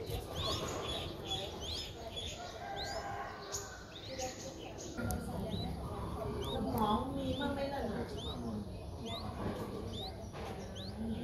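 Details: Nestling Streak-eared Bulbul aged four days, Ubon Ratchathani, Thailand, 6 April 2023: a run of high, quick upward-sweeping peeps, several per second at times, over steady low noise with some rustling.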